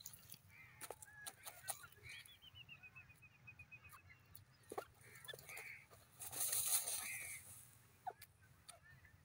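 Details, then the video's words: Grey francolin, locally called teetar, calling: a rapid run of short, evenly spaced whistled notes, with harsh nasal phrases before and after, set against sharp clicks, low rumble and a brief burst of hiss. "teetar sound,teetar ki awaz,grey francolin teetar sound"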